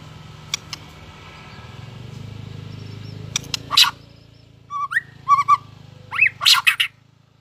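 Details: White-rumped shama, newly in breeding condition and flicking its tail, giving competing song: sparse clear whistled upslurs and sharp clicks in short bursts after a quiet start, over a steady low hum.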